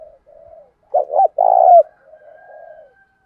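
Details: Low cooing of a decoy spotted dove meant to stir rivals to fight, in wild dove style; a faint drawn coo precedes a strong two-part burst and a long rolling coo, then soft fading notes.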